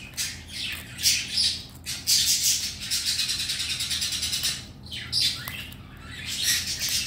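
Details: Red-collared lorikeet kept as a pet indoors, happy with a favourite toy and its owner home, producing long harsh shrieks and grating chatter with short pauses.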